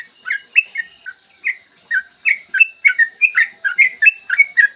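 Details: Yellow-vented bulbul in long, rapid song recorded on a clear morning, used as a lure to get other bulbuls singing: a steady stream of short bubbly, slurred notes, some rising and some falling, crowding closer together toward the end.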